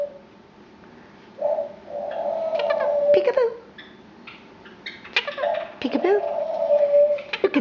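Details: Female pet Quaker parrot, almost three years old, kept indoors, talking in a small room: tonal, speech-like phrases around mid pitch, such as 'bye-bye' and 'peekaboo', in two bursts separated by short pauses, with sharp clicks between.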